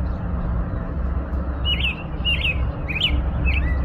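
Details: After a quiet start of low noise, an American robin sings four sliding whistled phrases, each dipping and rising, evenly spaced near the end.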